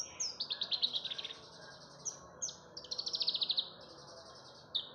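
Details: Song of a Javan bush lark played to lure other birds into singing: sharp downslurred whistles followed by fast, even trills of bright chirps, repeated in short bursts.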